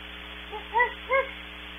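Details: Great horned owls calling from far off at Audubon Starr Ranch, California, the sound processed and distorted: a soft first note, then two stronger, bowed hoots about a third of a second apart, with constant background hum.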